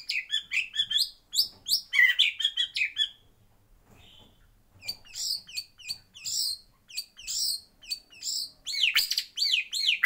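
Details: White-rumped shama in a breeding aviary pouring out loud, varied song of sharp sweeping chirps and downslurred notes, with a quiet gap mid-phrase before another burst.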